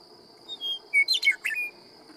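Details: A Western Meadowlark along a road at Knights Ferry in California's Sierra Nevada sings a few clear, flute-like downslurred whistles, then a quick, bubbling, gurgled flourish, over a faint steady high hum.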